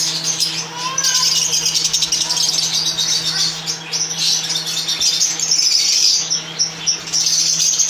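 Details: Lovebirds kept in a colony setup, chattering together in a dense, continuous mass of high chirps and squeaks with no pauses, many birds calling at once.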